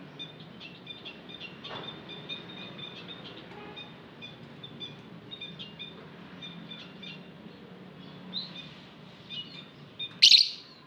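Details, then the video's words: Lovebirds in an aviary: dense, continuous high chirping with many overlapping short notes throughout, ending in a loud harsh squawk. "Lovebird Singing Call & Chirping Sounds v2"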